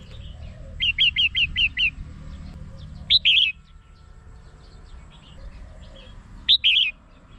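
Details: Red-whiskered bulbul song used as a lure for trapping birds: a quick run of six short bright chirps, then two separate rich warbled phrases about three seconds apart, with faint other birds behind.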